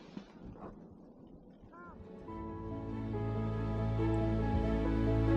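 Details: Music with layered sustained tones builds steadily, with faint murmuring sounds early on and no animal calls.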